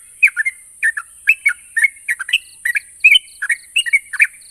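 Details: Yellow-vented bulbul song intended to trigger answers from silent birds: rapid, chattering clusters of liquid notes, slightly slurred and varied, with faint short beeping dashes and a steady high whine underneath.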